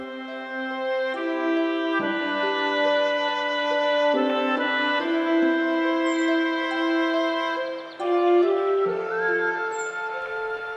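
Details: Slow, mournful orchestral music of sustained woodwind and horn tones, with no animal voices.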